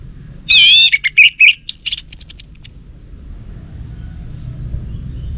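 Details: Song of a kept orange-headed thrush: a rich warbled phrase breaking into a fast run of about a dozen quick high chirps and whistles within two seconds, then quiet with faint low background rumble.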